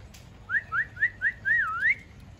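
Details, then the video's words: Talking pet parrot giving four short, clear upslurred whistles in quick succession, then a longer wavering whistle that dips and rises; faint low background hum. "Parrot Natural Voice | Talking Parrot | Parrot Video | Parrot Speaking"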